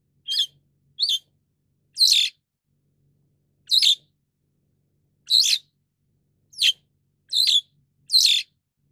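White-shouldered Starling giving eight short, harsh, high-pitched chirps at irregular intervals of about one to two seconds, over a faint low hum.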